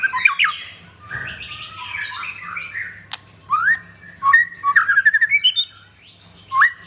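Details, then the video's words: Ringed white-rumped shama, a kept bird in Jakarta, Indonesia, in loud full song: mixed scratchy and whistled phrases, sharp upward-swept whistles, then a quick burst of about eight clipped repeated notes and a final rising whistle, over a faint low hum. "Murai Batu Pastol Blorok Extreme Double Ring Apbn Bnr Gacor"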